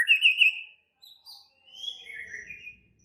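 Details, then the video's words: Excited, aggressive white-rumped shama song: a loud warbled whistle first, then a short gap and softer high notes sliding downward, ending in quieter scratchy twitters with faint low rumble underneath. "Murai batu langsung EMOSI TERPIKAT suara murai batu ngamuk AKTIF"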